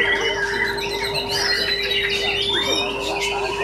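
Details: Competition white-rumped shama (Copsychus malabaricus), a male that took second place at a songbird contest in East Java, pouring out rich, varied whistles with quick slurred swoops and chatters over a steady droning hum, with music and voices faintly behind.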